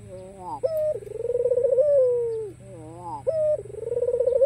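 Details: Persistently calling white, black-collared ringneck dove, used to draw rivals into calling: a rising, quavering lead-in, a sharp accented note, then a drawn-out, throbbing coo sliding gently downward, given twice.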